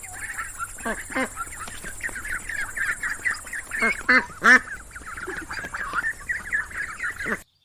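A flock of ducks quacks steadily, with many nasal, overlapping quacks in a busy chorus and a few louder, harsher calls standing out.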